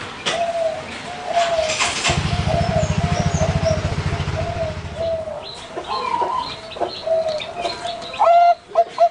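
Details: Soft repeated coos of a caged zebra dove, Bangkok ring line, at a farm in Pamekasan, Madura, mixed with a low engine drone and scattered chirps of other birds.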